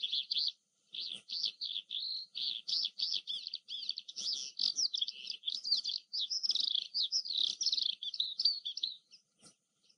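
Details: Extended song of an Oriental skylark: dense, high-pitched warbling and trilling that pours on almost continuously for about nine seconds, with brief breaks, then stops abruptly.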